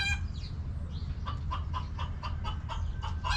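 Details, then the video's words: Backyard hens clucking in a coop, a string of short, evenly spaced clucks about every quarter second over a steady low rumble of background noise. "Hens Clucking!"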